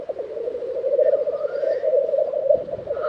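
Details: Steady rolling, dove-like bubbling of black grouse at their April lek in Tiveden, Sweden, 2023, with a faint rising and falling note from another bird midway.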